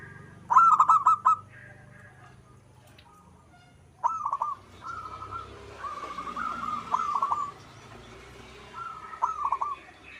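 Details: Zebra dove (local perkutut) in manggung song: a loud burst of rapid coos, a pause, then a string of softer rolling, stuttering phrases against light background hiss.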